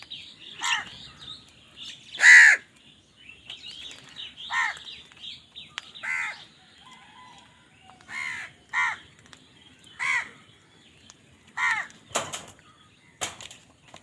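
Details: Crows fighting for food call repeatedly with coarse, nasal caws, about ten separate calls spread over the stretch, roughly every second or two. Small birds chirp quietly in the background.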